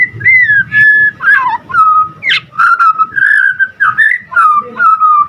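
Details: White-rumped shama, a caged songbird, singing a loud varied song of clear whistled phrases that slide and warble between mid and high pitch, several per second, with low rumbling background noise.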